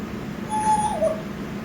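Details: Six-month-old male African grey parrot giving a single mid-pitched whistle that holds steady, then dips and bends downward, over a hum of indoor room noise.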